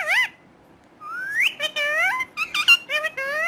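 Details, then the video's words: Talking parrot gives a short mimicked word, then a long rising whistle followed by several wavering speech-like syllables in a quiet room. "Romeo One Of The Best Talking Parrot"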